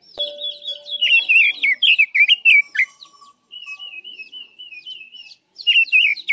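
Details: Chinese hwamei singing, a recording used as a trap lure: loud varied whistled phrases with quick slurred up-and-down notes, then a quieter run of wavering repeated whistles, and a final burst of rich notes.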